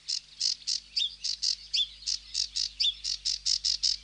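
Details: Sedge warbler repeating short scratchy buzzes at a steady pace, about four per second, with occasional clear whistled slurs mixed in, and a low background hum.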